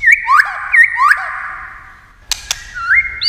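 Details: White-rumped shama in singing contest, giving loud whistled swoops that rise then drop, with a pause and two sharp clicking 'tạch' snaps before a final upslurred whistle.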